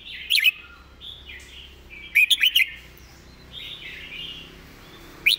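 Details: Red-whiskered bulbul giving master-song phrases: a twisting whistled opening, soft warbled notes, then a burst of four quick, loud, bright whistles, with a faint warble after.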